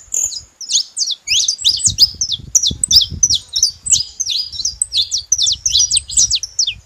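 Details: Rapid, high-pitched chirping from a saffron finch: clipped up-and-down notes tumbling out about three per second, with a faint low rumble beneath.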